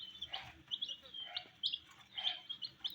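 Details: Colored baby chicks at a meal of wheat, a few clear high peeps spaced about every half second over soft rustling and pecking.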